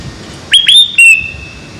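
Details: Sooty-headed bulbul giving full 'isian' song meant to get birds singing: a pair of quick upswept whistles followed by one long level whistled note held nearly a second.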